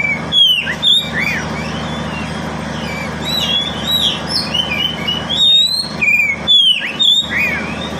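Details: Pet kacer, or oriental magpie-robin, singing to prompt silent birds to sing: loud varied whistled phrases with sharp slurred notes and quick chatter, bursts repeated about twice a second, over a low steady hum.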